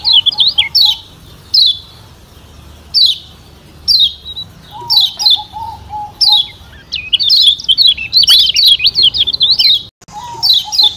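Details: Lemon-bellied white-eye (Lombok yellow white-eye), a lure recording meant to stir birds to sing: bright, high, thin chirps in quick bursts about every second, building to a busy twittering run, with a lower soft whistled note beneath.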